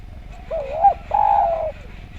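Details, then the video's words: Spotted dove, described as singing eagerly and harmoniously, gives a wavering coo that wobbles up and down, then a level, sustained hollow coo, against a quiet background. "Derkuku Gacor Suara Nglaras, Masteran Derkuku"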